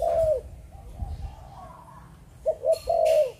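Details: Spotted dove kept in Vietnamese bird-keeping, described as a Malaysian breeding dove, giving short low cooing notes: one coo at the start, then after a pause a quick double coo followed by a longer drawn coo, in a small quiet room.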